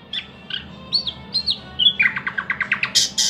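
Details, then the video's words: A few spaced whistles from a thrush nightingale lead into a rapid rattle of about a dozen repeated notes that climbs into loud, harsh clicks, over a faint low hum. "luscinia luscinia"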